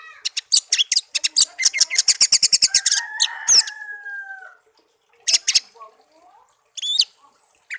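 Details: Tame pet songbird raised from young after being found in a garden: a fast rhythmic series of sharp notes, then long low whistled tones, followed by scattered high chirps and pauses.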